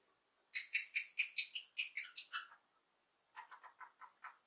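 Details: A happy lovebird rattles off a fast, even string of about a dozen sharp, squeaky chirps, then after a short pause a softer, lower run of similar notes.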